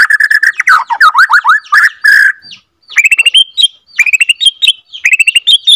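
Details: Borneo F2 white-rumped shama singing to provoke other shamas: a steady whistled note and fast swooping V-shaped slurs, a short pause, then clusters of quick rising whistled notes.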